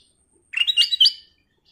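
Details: A sooty-headed bulbul gives one quick, bubbly phrase of four or five clear, fluty notes stepping upward in pitch, with nothing else heard.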